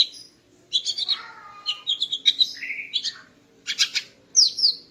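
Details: Female greater green leafbird in morning song to arouse a male: varied chattering and slurred whistles, including a falling phrase, then sharp chips and a final high slurred whistle.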